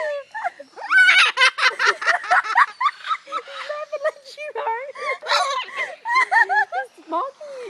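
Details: At Parrot Mountain in Pigeon Forge, Tennessee, a captive umbrella cockatoo mocks human laughter, giving loud rapid chuckling bursts of repeated short syllables interspersed with sliding, voice-like hoots.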